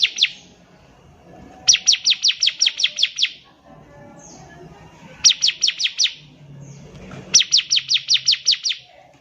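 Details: Energetic bar-winged prinia song for teaching young birds: repeated bursts of about seven fast, high, falling chirps, roughly three per second, with short quiet gaps between bursts.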